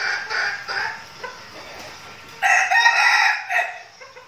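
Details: Decoy red junglefowl in a trained flock from Bình Phước province, Vietnam, practising before forest outings; a harsh, multi-part crow bursts out near the start, then a second, louder crow follows after a quieter stretch.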